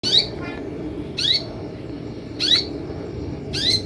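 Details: Olive-backed sunbird lure calls, used to make sunbirds answer and sing: harsh, squawky broadband notes with a down-slurred lower tone, repeated about once a second over low background hum.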